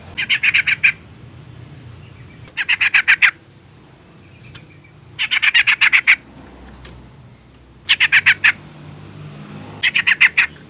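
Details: Female sooty-headed bulbul calling to stir a male: repeated short bursts of fast, harsh rattled notes, five separate runs with pauses between, plus a faint isolated click.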